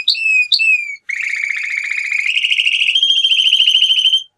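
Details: Song of a male canary: two sharp, downslurred whistles, then long buzzy rolling trills that step upward in pitch in stages and hold for several seconds.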